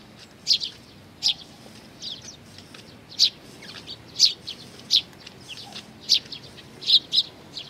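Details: Sparrows, chicks arriving together with their parents: sharp high chirps repeated irregularly, roughly one or two per second, some in quick doubled notes, over a quiet background.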